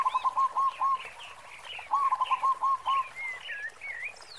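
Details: Local Indonesian zebra dove singing often, with a big 'khong'-style voice suited for use as a lure: quick runs of low, rolling coo notes in two bursts, with thin higher whistles from other birds between them.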